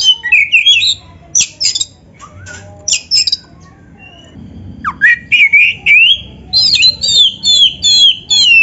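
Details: White-rumped shama singing to stir other shamas into song; rapid harsh chatters and whistles, a quiet gap, then a clear rising slurred whistle and a series of repeated looping notes.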